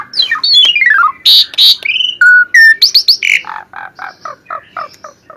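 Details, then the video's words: Gacor singing from an Asian pied starling, kept as masteran training audio: descending whistled slurs and loud squawks, then a run of about ten short clipped notes repeated roughly every quarter second, fading away. "Kicauan burung jalak suren gacor"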